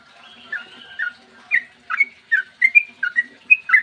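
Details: Yellow-vented bulbul in vigorous long rapid-fire song, used as a lure to set other bulbuls singing, clear voice, morning: sparse bubbly whistled notes, scattered at first, then quickening into a run of short slurred phrases, faint low hum beneath.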